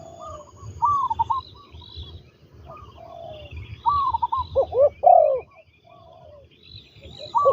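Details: A spotted dove trained as a ground-luring decoy coos in rolling phrases, rising to a strong hoarse double coo past the middle. Chirps from other birds sound high above.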